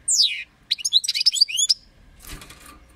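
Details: European goldfinch song in short bursts: a falling, sweeping high note, a pause, then a fast jumble of bright twittering and tinkling notes, followed by faint rustling background noise.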